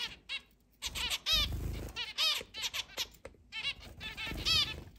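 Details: Pet zebra finches, a group of eight housed in a large cage and flying free indoors, July 2022: rapid nasal toy-trumpet beeps overlapping in quick runs, with soft low thuds and fluttering underneath.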